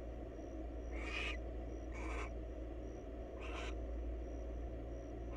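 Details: Wild barn owl at a monitored nest box in Israel during courtship, giving three harsh, hissing screeches, each about a second long.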